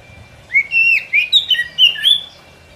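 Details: Lure song of a white-rumped shama for forest trapping: a run of rich fluting whistles with quick up-and-down inflections, six or seven linked notes over about two seconds.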